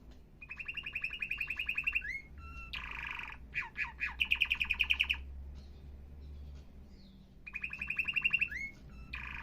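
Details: Canary song in repeated bursts of fast rattling trills with sharp upslurred notes in between. Pauses separate the phrases, and a low steady hum runs underneath.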